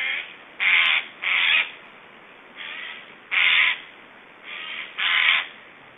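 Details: Strange feeding-time sounds of black storks in Estonia, 1 July 2012: six harsh, breathy rasping bursts, each under half a second, spaced at irregular intervals, some louder than others.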